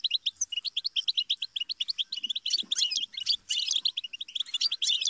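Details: Goldfinch song of rapid, evenly spaced chirps that build into a louder jumbled twitter with buzzy, tinkling notes, sung almost without pause.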